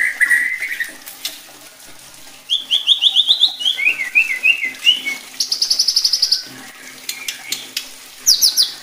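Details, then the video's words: White-rumped shama song used to provoke other shamas into aggressive singing: low whistles, then a varied run of rising and falling notes, a fast buzzy trill of repeated high notes, and sharp high chips. "bikin MURAI BATU LAIN JADI GACOR EMOSI,,MUNTAH ISIAN"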